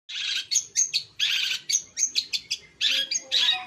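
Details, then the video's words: Long-tailed shrike singing tirelessly day and night: harsh, scratchy bursts alternating with short chattering notes and brief sharp chips, delivered in a fast, uneven stream with a faint steady tone underneath. "Penten gacorr siang malam!!"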